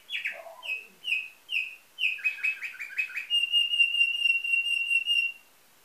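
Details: Domestic canary with nightingale-type song, bred in Varna, Bulgaria, in 2013: a falling whistled opening, spaced bright chirps, a quick buzzy descending trill, then a long sustained rolling whistle.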